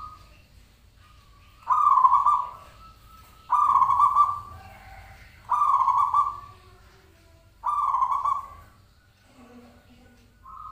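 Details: Zebra dove call used to lure the bird into answering: four even trilled coos, each about a second long, coming about every two seconds, with a faint thin tone between them.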